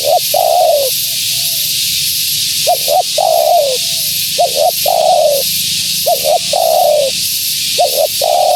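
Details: Energetic calling of a hen spotted dove to attract wild doves: repeated phrases of two short knocking notes and a long mellow falling coo, roughly every one and a half seconds, with constant hiss.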